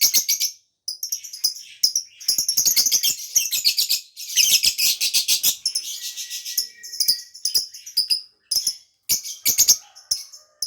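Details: Continuous lovebird twittering, played as a lure for birds that got loose and to excite breeding in others: long run of fast, shrill chirps and scratchy trills, loudest mid-way, with a few brief gaps.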